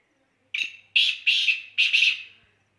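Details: Black francolin calling: a clear, harsh, buzzy phrase of five rasping notes. One short note is followed by a pause, then a pair and another pair, each note grating and strongly accented, with a quiet background.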